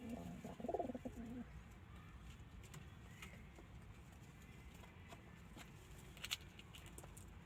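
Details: A brief burst of throaty pigeon cooing in the first second and a half from domestic birds, then only quiet background hiss with faint clicks.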